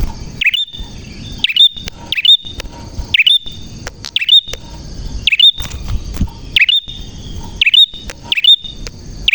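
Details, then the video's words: A prenjak, or prinia, singing clearly and busily: loud, piercing chirps that dip and rise, some in quick pairs, separated by short silent gaps, with a soft continuous high hum underneath. "Burung Prenjak Gacor Suara JERNIH"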